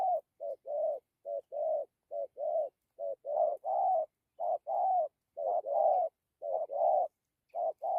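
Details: Spotted dove in dặm with gù cooing: a steady string of about a dozen paired low notes, a short note leading into a longer rounded coo, repeated almost every half second.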